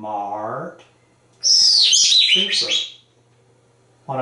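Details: Very talkative pet African grey parrot indoors, chattering about corn: a speech-like phrase, silence, then a loud high shrill squawk lasting over a second, followed by short voiced syllables.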